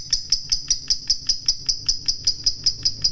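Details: Fighter lovebird in full voice giving a long ngekek chatter, meant to provoke rival lovebirds into calling. Evenly spaced sharp, high notes repeat about five times a second without a break.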